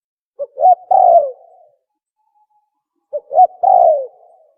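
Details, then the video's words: Spotted dove call used to attract birds for hunting: two phrases about three seconds apart, each a quick pair of short coos followed by a long, downward-sliding coo. "Tukmo sound effective sound call | for Hunting"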